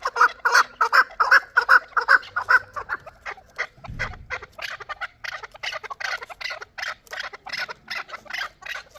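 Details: Chukar partridge from Shurobod, Tajikistan, a young bird hatched the previous year and praised as the best partridge. It gives rapid, rhythmic chuck notes, loud at first then slightly softer, about two and a half per second, continuing throughout.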